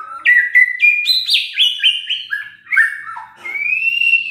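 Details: Song of the white-rumped shama, murai batu, played to make listless birds sing: rapid clicks, stepped rising and falling whistles, then one long steady whistled note rising slightly.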